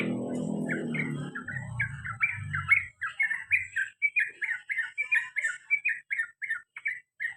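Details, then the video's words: Sooty-headed bulbul repeating its 'cuk cuk' call, a steady series of short, slightly rising chirped notes about three per second. A low rumbling noise opens the recording and fades out. "CUK CUK CUK TRUCUKAN ROPEL PANJANG DAN GARUDA BER ULANG - ULANG"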